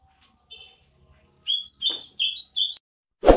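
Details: ['Greater green leafbird of the Banyuwangi type gives a quick burst of bright, warbling whistled notes lasting about a second, sliding up and down, after a few soft chirps; a sharp thump ends the recording.']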